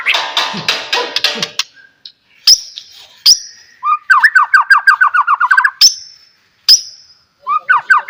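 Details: White-rumped shama lure song: opening burst of harsh noisy chatter, then sharp high whistles and a fast series of repeated descending notes, ending with another short run.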